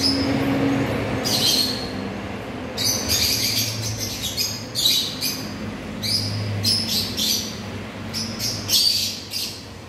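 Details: African lovebirds giving bursts of shrill, high chirps and squawks in clusters every second or two, with a steady low hum running underneath throughout.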